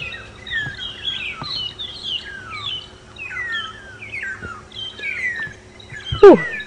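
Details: A noisy group of magpie shrikes on a morning safari drive at Djuma Game Reserve on 21 September 2015 gives clear, fluty, up-and-down slurred whistles that overlap throughout, with a sharp knock near the end; the birds then move off from around the vehicle.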